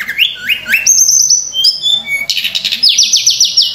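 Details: Sunda robin singing energetically, a rich song packed with varied phrases, used as a lure for training other birds: rapid upslurred whistles, bright high notes and trilled series of rising sweeps, with a low hum underneath.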